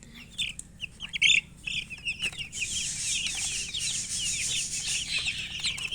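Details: Chicken chirping: rapid series of high, short peeping notes, some arched and downslurred, in bursts at first, then a dense continuous chorus of overlapping peeps with a hissy background.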